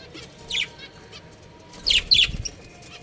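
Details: Budgerigars kept as home pets make two short bursts of bright, scratchy, high-pitched chirping. The second burst is a rapid cluster of notes, with soft low thumps beneath it, possibly wing flaps or movement.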